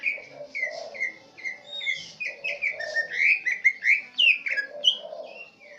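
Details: Swiftlet-mimicking green leafbird from Central Aceh delivering a lively song of clipped whistles and twittering chirps. The notes come in fast, uneven bursts and grow louder toward the middle.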